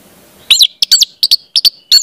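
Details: Orange-headed thrush song used to train young birds to sing, a rapid series of bright, chirping double notes, high and sharp, repeated in clusters at roughly third-second gaps with a faint background hiss.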